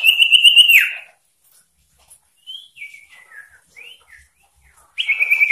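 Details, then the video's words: Sooty-headed bulbul in persistent, varied song intended to provoke rivals: a loud pulsed buzzy trill ending in a downward slur, then a series of short whistled slurs, and another buzzy trill starting at the end. "Sirtu Cipoh Gacor ngotot Variasi Memancing Emosi Lawan"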